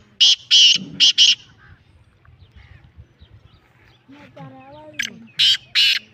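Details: Lakka kala teetar, a pure Lakka nasal black francolin, gives loud rasping bursts, four in quick succession at the start and three more at the end, with a man speaking softly in between.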